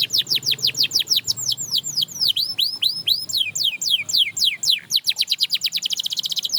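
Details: Canary song said to spur other canaries to sing: a chain of swooping, falling whistles that changes pace and ends in a rapid buzzy trill, with a faint low hum beneath.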